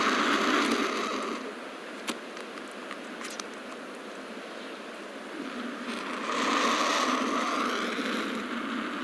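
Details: A Turkey Vulture, which lacks muscles around its syrinx, gives low, breathy hisses: a long rushing hiss at the start, a quieter stretch, then a second hiss building near the end.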